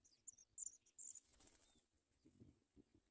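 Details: Paddyfield pipit chicks at the nest during a feeding visit: a short flurry of thin, high-pitched squeaks in the first second, followed by a soft flutter and low rustling.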